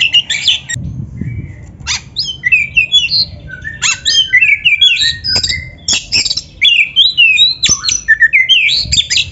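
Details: Long, varied song of an Oriental magpie-robin (kacer), played to train other kacer: crisp clicks, quick slurred whistles and mimicking chirps in rapid succession, with almost no pauses.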